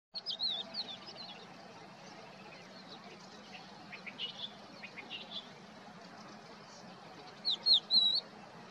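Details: Crested lark singing at Poleg swamp, Israel, on 7 April 2022: bursts of clear, fluty whistled notes with twisting pitch open and close the passage, with faint scattered chirps between and a low background hum.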